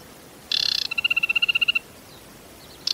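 An Aquatic warbler's song: a brief harsh, buzzy chatter, then a quick even run of about a dozen clear piping notes, with nothing else heard.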